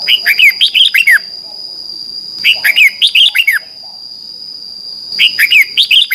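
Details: Red-whiskered bulbul singing competitively in the morning; short bursts of five or six clear, rising-and-falling whistled notes, repeated about every two seconds, with a steady high electronic tone behind.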